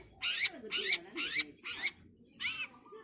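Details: Long-tailed shrike in a training recording for songbirds: four harsh, rasping notes about half a second apart, then a quieter, lower fifth note.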